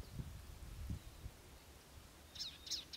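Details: Palestine sunbird (Cinnyris osea) gives three quick, high, sharp chips about a third of a second apart, after low thumping and rumbling background noise.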